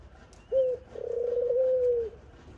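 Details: Mother dove feeding her chick utters a short clipped note, then a drawn-out, fluttering, evenly pitched coo lasting about a second, low and throaty, with quiet surroundings.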